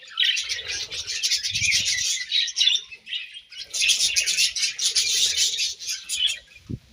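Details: Budgerigars feeding on grass produce two long flurries of lively, buzzy warbling chirps separated by a short quieter stretch, ending with a single sharp click.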